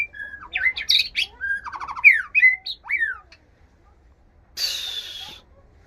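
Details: Captive white-rumped shama in breeding condition pouring out a rich, fast song of whistled slurs, rising and falling notes and a buzzy trill, then a brief pause before a harsh rasping burst.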